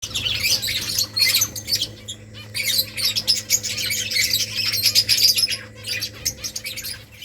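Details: Several finches eating rice, giving dense bursts of high, scratchy chirps and squeaks that come in clusters with short pauses, over a steady low electrical hum.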